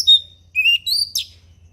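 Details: Forest orange-headed thrush singing a relaxed song in the ngeplong style: loud high whistled phrases, first a short pure note, then two sliding whistles, ending in a downward slurred burst, against a faint low hum.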